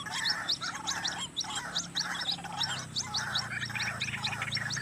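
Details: Roadside White-breasted waterhen, known locally as ruak-ruak, recorded for use in trapping; throaty, gargling notes repeat in quick bursts, mixed with a steady run of thin, high chirping notes.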